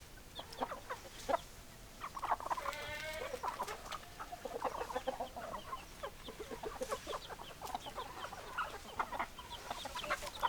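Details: Chickens, hens and roosters, clucking in a group: a busy stream of short low clucks and murmuring notes, with one drawn-out harmonic squawk rising above them, over faint background noise.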